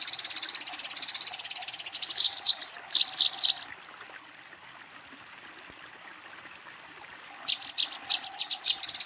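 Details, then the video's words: A Eurasian tree sparrow fighting, calling to a rival: hurried chattering chirps, then a few spaced sharp notes, a long pause of near silence, and another short burst of chirps. "suara burung gereja tarung memanggil lawan"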